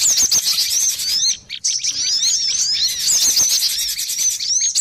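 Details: Java sparrow lure call used for trapping birds: dense, busy high chattering of many overlapping chirps and twittering notes, nearly continuous with a short gap midway.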